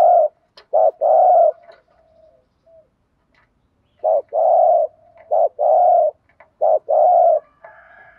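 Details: Decoy spotted dove cooing in the 'thúc gù' style, used to lure wild doves: low hollow coos in short-then-long pairs, a brief note followed by a drawn-out one, with a pause of about two seconds between sets.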